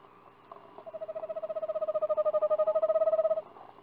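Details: Eastern screech owl at a screech owl nest box, captured from a livestream on 4 April 2019, as a bird steps in. It gives a steady, even-pitched trill of rapid pulses lasting nearly three seconds and swelling slightly in loudness.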